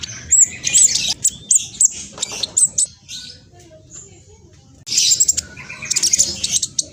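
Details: Speckled ('trotol') black sunbird singing fast, nonstop song meant to lure other birds into answering; very high, rapid thin chirps and sharp whistled notes in two energetic bursts separated by a quieter pause, with scattered faint clicks.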